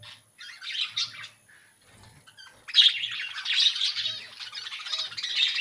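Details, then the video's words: Colony budgerigars, not caged, start with a few scattered chirps, then burst into loud, continuous high twittering and warbling from many birds, with a faint low hum underneath. "Budgies Parrots colony"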